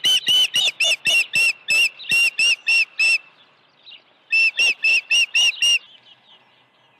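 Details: Osprey during an early feeding at the nest, 1 June 2019, morning: rapid piping chirps in a string of about eleven notes, a quiet gap with soft calling, then a second burst of six.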